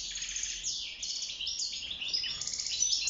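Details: Caged wild European goldfinch singing during mating and nest building; a short burst of quick, high, tinkling twitters and trilled notes, steady throughout.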